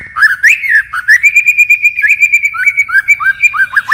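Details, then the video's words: Continuously varying forest-voice song from a white-rumped shama: slurred whistles open into a rapid even trill of short notes at one pitch, followed by bouncing downslurred whistles. "Chích chòe lửa hót giọng rừng hay đảo giọng liên tục, บินหลาดง murai batu shama bird"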